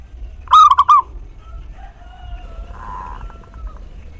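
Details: A local zebra dove's lure song for stimulating other doves: one loud, fast, rippling phrase of four bubbly coos, followed by faint whistles and a short buzzy sound.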